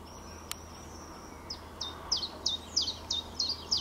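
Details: Common chiffchaff in April 2020 singing a quick string of high, clipped notes, about three per second, see-sawing between two pitches, with a faint thin whistle before it.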